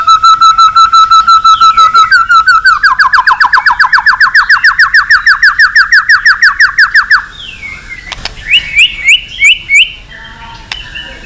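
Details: White-rumped shama singing intensely, used to stir weak birds into competitive singing and to train song: a long steady whistle slides into a rapid, regular series of loud repeated notes, about three per second, then a few higher sweeping notes.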